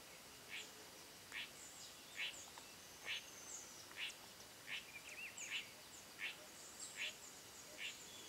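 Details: Spot-backed puffbird at Boa Nova, Bahia, Brazil: a faint series of short, sharp notes repeated about every 0.8 seconds, with high insect-like hiss and other distant bird notes in the background.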